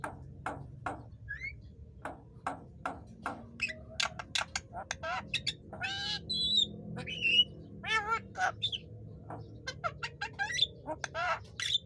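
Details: Singing Javan myna, offered as a training song for other songbirds: sharp clicks tapped out about once a second, mixed with warbled whistles, wavering notes and squeaky chatter that grow busier toward the end.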